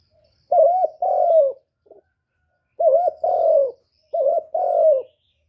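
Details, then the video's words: Spotted dove cooing clearly: three phrases, each a short double coo followed by a longer, slightly falling coo, separated by silent gaps of about a second, with a faint low thud in the background. "សំឡេងលលកូក2.ឮច្បាស់ល្អ.2023 , terkukur"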